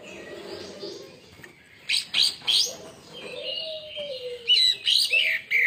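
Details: Greater green leafbird song used as a lure to provoke other birds into singing: bursts of sharp, high chirps and quick trilled phrases, with a low steady tone running underneath.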